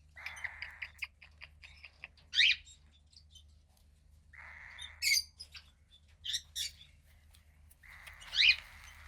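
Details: Female cockatiel chick about 15 days old, second of a pied cockatiel pair's hatch, gray with a little white on the wings; harsh raspy hissing calls lasting about a second, repeated several times, with sharp high chirps between them.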